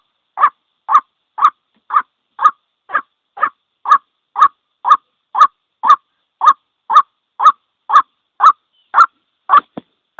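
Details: Single-note calling of a white-breasted waterhen, used as a trapping lure: coarse, croaking notes come at a steady two per second for ten seconds, ending with a sharp click.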